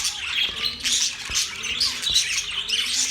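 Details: Several budgies chirping, with busy overlapping high tweets and short squeaky notes. A few sharp clicks stand out and a soft low hum runs beneath.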